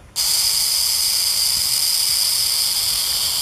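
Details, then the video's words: A burrowing owl guarding its chicks at the nest gives a harsh, unbroken rasping hiss lasting about three seconds, like a rattlesnake's rattle, made to drive off a predator. "Coruja Brava . Parece som do guizo da cobra cascavel"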